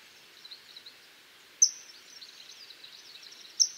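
Common kingfisher giving two shrill, very high piercing whistles about two seconds apart over a steady hiss of background noise.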